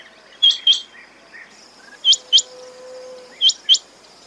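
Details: Three bright double-note calls from a quail, spaced over a second apart. Each note is short and high-pitched, and a thin steady tone runs faintly between calls.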